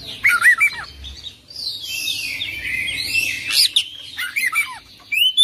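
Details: Oriental magpie-robin singing 'full isian' style: crisp looping whistles, a long scratchy warbled passage in the middle and quick chipping notes closing the phrase.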